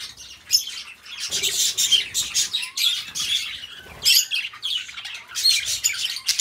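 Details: Two pet budgies warble in rapid, grating bursts of high chirps and ticks separated by short silences, with a faint gliding whistle in the middle.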